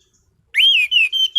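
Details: Pure, loud whistled song from a caged orange-headed thrush: one long rising-then-falling note followed by two shorter steady whistles in quick succession.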